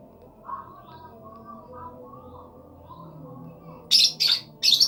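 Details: Lovebird giving three loud, harsh, buzzy shrieks in quick succession near the end. Faint low murmuring and soft background sounds come before them.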